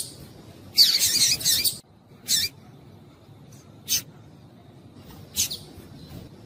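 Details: Female double-collared seedeater call, used to excite males into singing: a long, sharp, high burst of chipping notes, then three short, high chips spaced about a second and a half apart, over quiet background.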